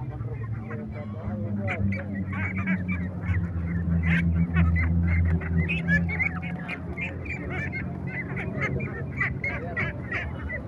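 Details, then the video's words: Many small ducks kept for egg laying quack at once: short harsh nasal calls tumbling over each other about three per second, loudest mid-clip, with a constant deep droning hum underneath. "Little Ducks Sounds, Quacking Sound of Ducks"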